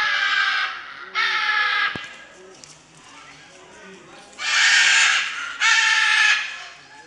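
A bird gives four harsh, raspy, drawn-out calls, each lasting about a second, in two pairs separated by a short pause.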